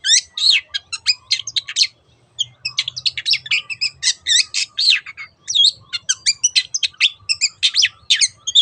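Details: Long-tailed shrike song of the 'teot teot' type, played as a lure to get other birds singing. Dense, rapid chattering of scratchy notes and squeaky whistles, nearly nonstop, broken by one short pause about two seconds in.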